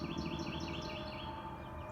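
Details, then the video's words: Birds singing loudly through a forest the day after a storm, a repeated series of short rising chirps high up, about eight phrases, over a steady low rumble of background noise. "Chim hót vang cả khu rừng"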